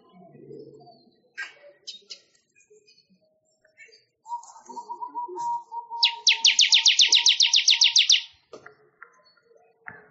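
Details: Weaver, locally manyar, singing for songbird training: scattered clicks, then a thin wavering low whistle, followed by a two-second burst of rapid high metallic ticks; occasional soft knocks in the background.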